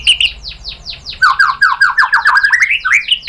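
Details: A white-rumped shama sings as bait for a rival: a string of rapid downswept notes, then warbled slurred phrases rising in pitch, loud with little background.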